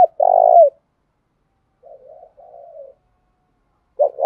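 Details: A spotted dove gives a rich, sustained coo that ends with a downward slur, then a pause, then two quiet burbling notes. A new phrase begins at the close, sung as daily voice practice.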